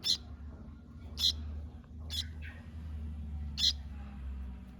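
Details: A young, hand-fed Sooty-headed Bulbul recovering from weakness and refusal to eat begins chirping and begging for food: short, harsh high chirps, four in five seconds at an uneven pace, over a steady low indoor hum.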